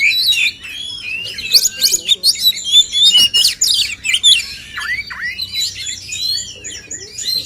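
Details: Competing male oriental magpie-robins, known locally as kacer, trade bright rising and falling whistles mixed with harsh chirps, building to a loud burst in the middle before softer downslurred notes.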